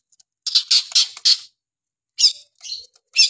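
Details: Long-tailed shrike singing vigorously: a burst of four harsh, scratchy high notes, then a pause and three more rasping, chattering notes. No other sounds.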